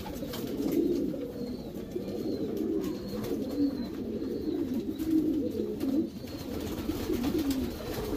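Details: Deep, bubbling coos rise and fall from Racing Homer pigeons in a breeding loft, several birds overlapping, with faint repeated high whistles and light tapping sounds.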